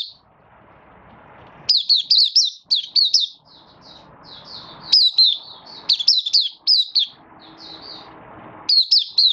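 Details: Oriental white-eye from Malaysia, caged and opening into song during a light moult while building form, 24 August 2023: repeated bursts of quick, high, rising-and-falling warbled notes mixed with softer chips, over low hum in the gaps.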